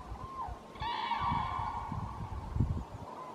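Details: Pair of wild common cranes in a forest calling loudly as other cranes fly over, claiming their place; clear blue sky, almost no wind. A short falling note, then a loud, rich, trumpeting bugle lasting about a second, with rustling below.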